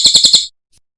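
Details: Cililin masteran for training cage birds: four sharp, high chirps in quick succession over half a second, then silence.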